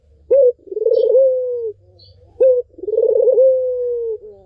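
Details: Two coo phrases from a Barbary dove, intended to prompt a silent dove to sing: each opens with a short clipped rising note, then runs into a long trembling, softly falling hum.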